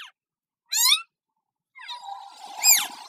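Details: Pet Indian ringneck parakeets, a talking pair: short harsh harmonic vocal bursts separated by silence, then a longer rasping phrase with an arched squawk-like note near the end.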